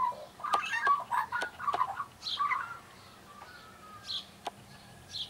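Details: Young Australian magpie practising its song with gurgling, fluty warbles in the first half, then softer held whistles and faint notes, punctuated by several sharp clicks.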